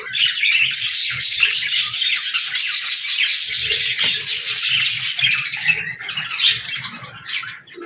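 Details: Pet budgerigar chattering continuously in rapid scratchy chirps and twittering notes, loudest in the first five seconds before easing a little.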